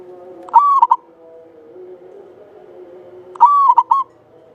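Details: Local Java zebra dove singing steadily, valued for a long clear voice as a lure: two phrases of a prolonged, gently falling coo followed by two brief staccato notes, roughly three seconds apart, with low murmuring background noise.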